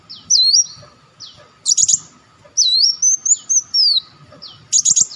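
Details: Olive-backed sunbird lure call: high, thin whistled notes that dip and rise in a swooping curve, alternating with bursts of sharp, clipped chirps, against a faint steady hum.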